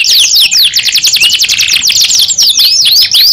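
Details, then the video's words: Short burst of young canary song, rapid high chopped trill of falling notes followed by a few slower looping whistles. "KENARI PAUD BAKAL NYAUT 2 IN 1 | CANARY SINGING"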